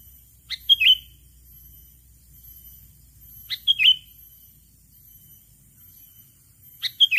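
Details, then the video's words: Sooty-headed bulbul calling to lure a rival: three short bursts of bright, bubbly chirps, each ending in a slurred downward note, about every three seconds over a quiet background. "Pikat BURUNG KUTILANG Memanggil Lawan Suara Khas Burung Kutilang"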